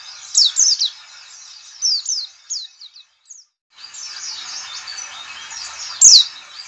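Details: White-eye 'ngalas' call, meant to draw other white-eyes into song: a run of high, thin, steeply falling chirps. A brief pause follows, then continuous soft twittering and one last sharp descending note.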